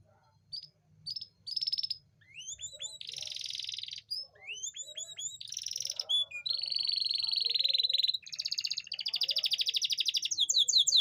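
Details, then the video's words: Varied canary song meant to excite reluctant females into breeding readiness. Scattered chirps and rising sweeps lead into long buzzy trills and sustained whistles, ending in a rapid, loud rattling tour. "Suara memancing kenari betina susah kawin"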